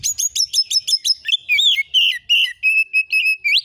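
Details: Kacer (oriental magpie-robin) 'nembak isian' song from a lure recording to provoke replies. A rapid, evenly repeated stutter of high double notes runs into sustained warbled whistles and ends with a rising note.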